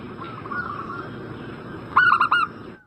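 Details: Zebra dove lure call meant to make a bird in breeding condition answer: a single crisp phrase of rapid rolling coos near the end, preceded by quieter distant cooing.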